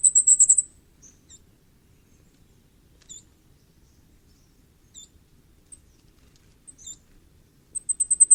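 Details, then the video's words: Common firecrest giving a short burst of very high, quick repeated notes, then scattered faint high call notes in near silence, and another rapid high run at the end. "火冠戴菊的叫聲/Sound of Common Firecrest"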